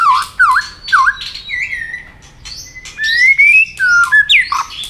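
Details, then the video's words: White-rumped shama being stimulated to fight-sing, flicking its tail: loud, varied whistled phrases, swooping notes dipping and rising, then long sliding whistles that climb steadily, ending in sharp downward-bent notes. "kích lửa cho chòe lửa hót"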